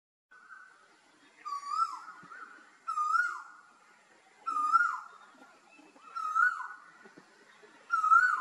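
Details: A male Asian koel gives five loud, clear whistled notes, each swooping up then down, about one every one and a half seconds in a quiet setting.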